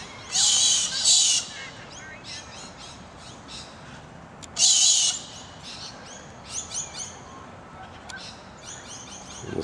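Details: Galahs in a small suburban street park on a morning after overnight rain left a temporary pool; two loud, harsh, rasping screeches about a second each, with softer chirps of other small birds between.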